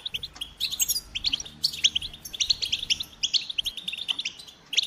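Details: Goldfinch singing in choppy phrases of clear, high chirps and tinkling notes, spaced with brief gaps, each burst bright and quick.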